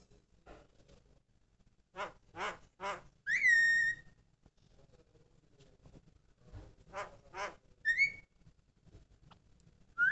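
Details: Javan myna song mixing harsh, rasping grating notes in groups of three with loud upslurred whistles, repeated twice, with faint low rumbling in the background.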